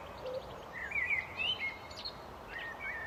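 Common blackbird singing: short fluty, warbled phrases that rise and fall, given in a few quick bursts over a steady background hiss.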